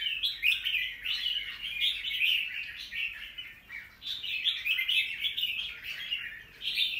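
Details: Continuous twittering and warbling from a wild-caught young red-whiskered bulbul, recorded 25 December 2023, in uneven bursts of quick chirps with small dips between.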